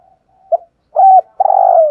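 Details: Decoy spotted dove used to stir up rival males, giving a brief note, a level hooting coo and then a long vibrating coo that slowly falls in pitch, all clear with a silent background.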